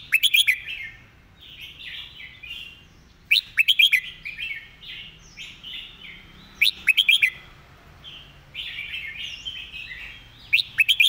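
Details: Red-whiskered bulbul singing a master song repeated again and again: each phrase opens with a rapid cluster of bright whistled notes and trails into softer warbling, recurring about every three and a half seconds.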